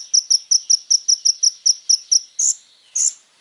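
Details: Little spiderhunter in lively song for a tutor recording: a steady string of about twelve crisp chips, evenly paced, followed by two longer, louder piercing notes.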